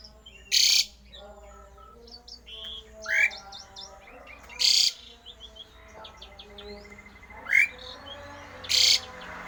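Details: Rare odd song of a Javan pied starling, used to provoke other starlings into song: loud harsh noisy bursts roughly every four seconds, with rising whistles and chattering notes between them.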